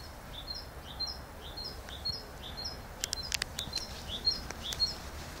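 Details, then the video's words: Great tit singing: a series of two-note phrases, a lower note around the middle range rising to a higher short note, repeated roughly twice a second, with several clicking sounds in the second half and steady background noise. "Chant de Mésange charbonnière Parus major Great Tit"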